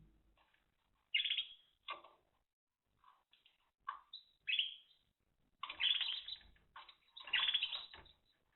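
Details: Timbrado canary singing in 2023: quiet, widely spaced phrases of rolling warbled notes and short chattering bursts, with gaps of silence between and a few soft clicks.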